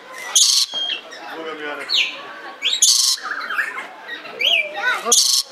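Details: Red lory (Eos rubra) at Belgrade Zoo giving three harsh, rasping screeches, about one every two seconds, with softer chirps and whistled notes from other birds in between.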